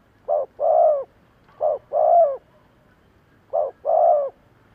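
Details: Spotted dove calling as a decoy for wild doves, three double coos, each a short note and a longer hollow coo, with uneven pauses between pairs and little else audible.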